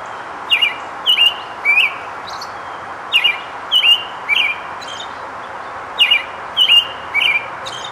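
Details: American robin song given while foraging and gathering nest material: a run of short whistled, caroling phrases in groups of two or three, roughly nine notes over eight seconds, with steady low background noise.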